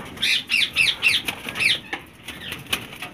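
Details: Green Indian ringneck parakeets in a captive breeding colony of breeder pairs with chicks, 2019 season: harsh, rasping screeches repeated about four times a second for over a second, then sparser fainter squawks, with room noise behind.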